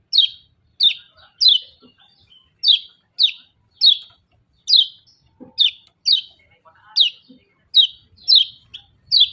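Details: Scaly-breasted munia repeating short, piercing, falling 'ciak' notes, around fifteen in nine seconds, sometimes in quick pairs, with faint soft chips between them against a clean, quiet background.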